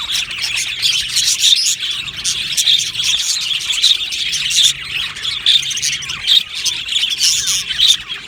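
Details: Many budgerigars in an aviary colony, lively overlapping chirps and chattering warbles, rapid high twittering pulses with a few louder sharp notes standing out.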